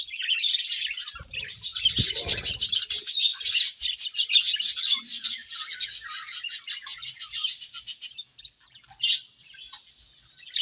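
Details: Budgerigars in breeding season: dense, busy high chirping and warbling chatter, rapid repeated notes around four a second for about eight seconds, with a brief low thump near the start, then fading to a few isolated chirps.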